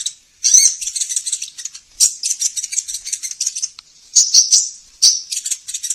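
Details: Sunbird, locally called sogon, recorded as a master lure to coax caged birds into singing. Very high, dense twittering in rapid chirpy bursts, with brief pauses near the one-second mark, again near two seconds, and at about four seconds.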